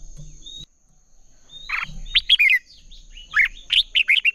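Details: Competitive song of red-whiskered bulbuls for training birds: a faint rising whistle, a brief pause, then a burst of lively chirped and warbled phrases building toward the end, with a steady high hum.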